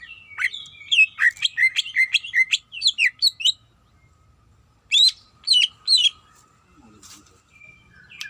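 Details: Female greater green leafbird calling to the male: a dense burst of sharp, varied chirps and slurred whistles for about three seconds, a pause, then three loud separate notes; a faint steady hum runs beneath.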